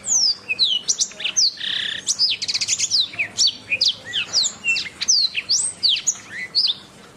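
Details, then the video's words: Canary song used as a training recording for songbirds: a fast, continuous run of high whistled sweeps and rapid trills, notes sliding down and up with short buzzy bursts, delivered without pause throughout. "Masteran Suara Kenari"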